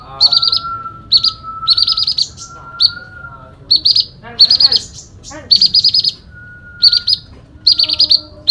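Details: Loud fighting song from a sooty-headed bulbul: repeated bursts of rapid, buzzy, rattling trills about every second, with a steady faint tone and some lower, harsher sounds in between.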